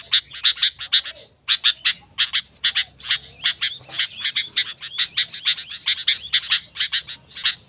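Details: Sooty-headed bulbul singing vigorously, a recording meant to draw wild bulbuls into answering: a dense, fast run of short sharp chirps and ticks, pausing briefly before resuming in an almost unbroken chatter.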